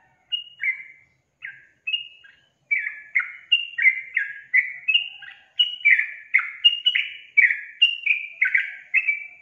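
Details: Sustained song of a yellow-vented bulbul, delivered vigorously: crisp gurgling notes, each dropping in pitch, repeated steadily roughly twice a second, with short pauses early on.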